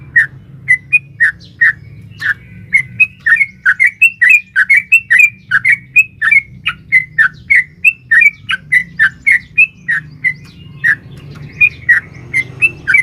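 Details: Sooty-headed bulbul female calling a male, used as a lure to make a caged bird sing: an extended, unbroken stream of bubbly chirps and clipped whistles, about three notes per second, over a steady low hum.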